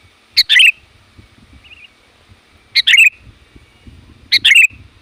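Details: Sooty-headed bulbul, described as bold enough to challenge rivals, calling loudly to attract wild bulbuls: three bright two-part phrases, a sharp note then a falling warble, with a faint trill between and low thumps in the background.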